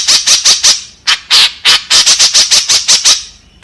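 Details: White-breasted woodswallow lure call, used to draw in others of its kind: harsh, buzzy squawking notes in a quick series, a brief gap near one second, then more rasping notes packed closely together until the end.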